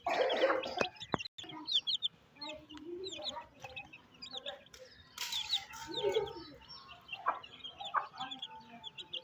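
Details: Mother hen feeding her chicks on a rainy day in a Pakistani village; low soft clucks from the hen over a steady stream of high, thin chick peeps, with a few sharp knocks.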